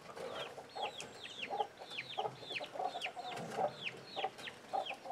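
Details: Domestic chickens with young chicks: steady clusters of high, falling chick peeps, about a hundred a minute, with frequent low clucks and light rustling underneath.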